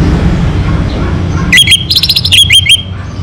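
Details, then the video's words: Orange-headed thrush in full song gives a loud, rich burst of rapid whistled and slurred notes, around a second and a half long, after a stretch of low hum. "Bunyi Suara ANIS MERAH Lokal Gacor"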